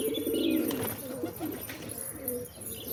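Pigeons give low, soft cooing murmurs, with faint chirps from other small birds in the background.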